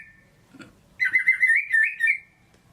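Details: Pet white-rumped shama, used as a lure to make a lazy bird sing: after a faint note, a single second-long warbled phrase of quick, wavering mid-pitched whistles.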